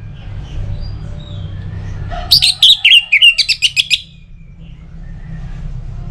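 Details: Orange-headed thrush song from Singaraja, North Bali, Indonesia, played to coax other birds into singing. A fast, slightly scratchy series of about a dozen high clipped whistles runs for under two seconds. Low rumble continues throughout.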